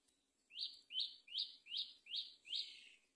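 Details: Great myna feeding a chick on a palm tree; six loud, harsh, scratchy notes in a steady series, each a rough burst lasting under half a second, with almost no other sound.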